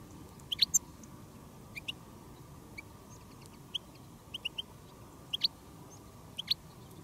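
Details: Field goldfinches answering a decoy bird during a silvestrismo outing; sparse, clear, high chirps, some paired, sound at irregular intervals over steady low background noise.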